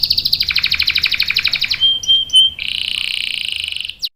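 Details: Canary in breeding condition, a female calling the male, used as a lure and tutor song: a long rapid rolling trill of repeated notes, then a thin whistled note and a buzzy trilled phrase.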